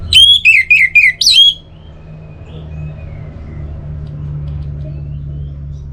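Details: Singing orange-headed thrush, North Bali, played to stir silent birds: a rapid run of about five loud whistled phrases, several sliding downward, ending in an upswept note, then quiet with steady low hum.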